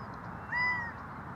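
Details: A Gambel's quail gives a little hooting call: a single plaintive, slightly arched mewing note about a third of a second long, over a steady background hiss.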